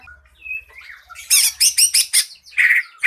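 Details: Green leafbird song used as a lure to make other birds sing: soft varied notes, then a run of loud, harsh, rapid chirps and two clear whistled phrases near the end.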